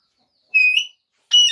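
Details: Alexandrine parakeet kept as a pet, watching a mobile phone and talking: two short bright whistled notes, the first a steady tone rising slightly at the end, the second a harsher, fuller note after a brief pause.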